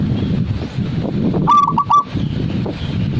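A zebra dove gives a brief run of three or four quick, ringing coo notes over a steady low rumble of background noise.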